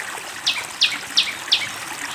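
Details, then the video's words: Fantail with flowing water prominent: four sharp descending high notes repeated about every third of a second over a steady rush of water. "SUARA BURUNG SIKATAN KIPASS GACOR DENGAN SUARA AIR MENGALIR"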